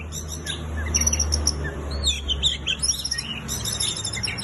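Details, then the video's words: Oriental magpie-robin singing, with a soft stream of high chirps and thin whistles partly masked by a steady low hum and background noise. "burung kacer super gacor sampek kongselt"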